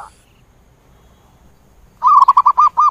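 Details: Zebra dove flock call: after two seconds of quiet, a sudden quick run of about six rounded, staccato coo notes.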